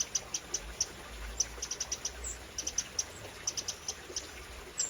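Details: Eurasian wrens in the UK in spring 2023, parents trying to organise their fledglings: thin, high ticking calls in quick irregular clusters, some notes doubled or tripled, over a faint steady background hiss.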